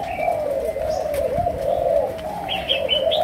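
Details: Spotted dove, Malaysian strain, 'chiêu gù' coo in the 'sấm đồng' style: a drawn-out low wavering coo, joined toward the end by a quick run of higher chirps from another bird.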